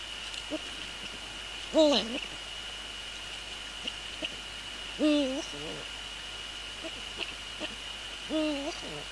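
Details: Eurasian eagle-owl male at his nest on a January 2014 evening, readying it for nest inspection. Three abrupt harmonic calls, each a quick upward sweep into a short level note, spaced about three seconds apart over a constant high-pitched hum.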